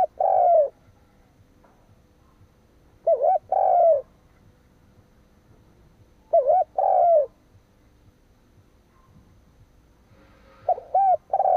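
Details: Decoy spotted dove calling to provoke rival wild doves: low, throaty coo phrases, each a short note followed by a longer rolling coo, repeated about every three to four seconds, four phrases in all, quiet background between.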